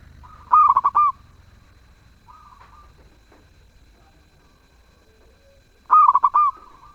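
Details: Actively singing zebra dove with a sweet voice, giving two rapid rippling coo phrases several seconds apart and a soft fainter coo between them.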